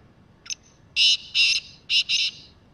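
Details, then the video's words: Black francolin, wild and roaming freely, gives a short faint lead note followed by four loud rasping buzzy phrases grouped in two pairs, with little else audible. "Kala Teetar Full And Clear Voice | Best Voice of Kala Teetar | Teetar ki awaz"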